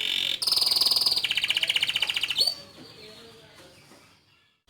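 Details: Canary singing at length: a bright rapid trill of repeated notes that drops in pitch partway through. It is followed by a sweeping note and then fades to near silence.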